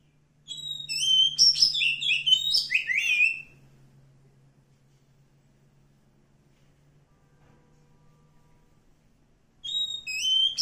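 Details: Wild oriental magpie-robin in forest singing a rich phrase of clear whistled notes with rapid downslurred and upslurred syllables for about three seconds, then a long silence with faint low hum before the song resumes at the end.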